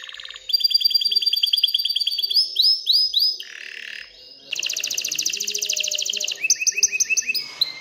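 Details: An excited canary sings to stimulate females to mate and build a nest, moving through rapid repeated trills, rolling looped notes, a buzzy burst, a fast high rattle and crisp repeated chirps.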